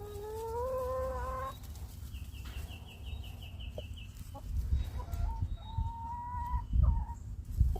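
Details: Noisy chickens making a sustained, slightly wavering tonal call lasting over a second, then a faint pulsed series of notes and a later short steady call, over low rumbling background noise.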